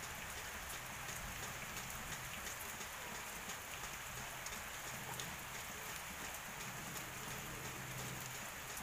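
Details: Steady heavy rain patters across the whole recording with no bird or other animal voice standing out, only a faint low hum beneath the downpour.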